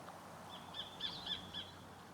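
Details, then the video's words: Sacred kingfisher near Barron River, Cairns, Queensland, Australia, in late afternoon before sunset, gives four sharp, high, evenly spaced barking notes about a quarter-second apart, over a faint thin steady whine and quiet outdoor background. "That's the call of this bird, the Sacred Kingfisher."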